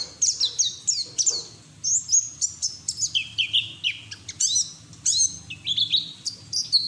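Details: Caged white-eye singing with open beak, used as lure and training audio to get other white-eyes singing: rapid high thin chirps and descending whistled slurs in quick varied bursts, faint low hum beneath.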